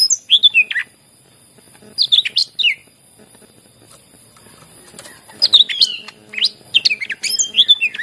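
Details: {'text': 'Greater green leafbird song played as a lure for birds slow to sing. Short bursts of sharp, high, slurred chirps come in three clusters, separated by quiet pauses of about a second or more.'}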